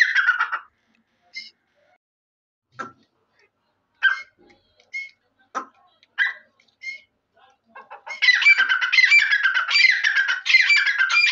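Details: Grey francolin, known locally as Dakhni or Irani teetar: scattered short sharp notes and clucks, then from about eight seconds a loud harsh rapid run of repeated grating phrases that lasts to the end.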